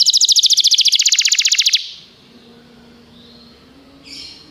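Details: Canary singing on a training recording for canaries: a rapid, even trill of bright buzzy notes lasts nearly two seconds, then stops, leaving a faint hum and one short high note near the end.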